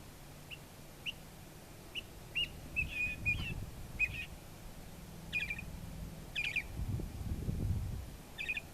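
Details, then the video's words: A Northern Mockingbird in Kimble County, Texas, on 26 November 2014 gives short, sharp chirps and a few harsh, buzzy notes at an uneven pace, roughly one each second, over a low rumble of wind. "Northern Mockingbird Calling"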